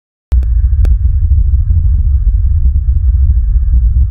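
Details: After a sharp click, a loud low throbbing rumble and hum continue without any animal sound.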